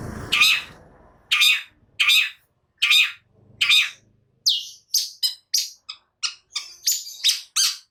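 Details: Agitated caged long-tailed shrike giving five harsh rasping notes about once every 0.7 seconds, then a quicker series of short sharp chips and squeaky notes.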